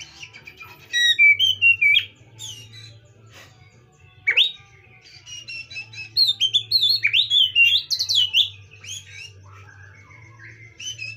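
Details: Oriental magpie-robin singing, used to call a stressed bird: a rich run of varied whistles, slurred rising and falling notes and quick chirped bursts, brief pauses between phrases, with a steady faint low hum underneath.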